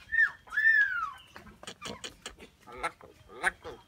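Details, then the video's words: Common myna in a talking competition between new and old birds: two loud slurred whistles rising and falling, then a rapid run of harsh clicks and chattering notes with a faint steady hum. "শালিক পাখির কথা বলা"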